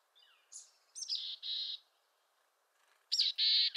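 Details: Mountain chickadee of western North America giving harsh chick-a-dee calls: a thin high opening note, then two or three broad buzzy dee notes, pausing and starting again.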